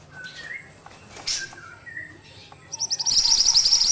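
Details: Ashy tailorbird (mantenan) in lively song: soft lower whistles from other birds at first, then a loud run of fast, high, repeated chips in the final second.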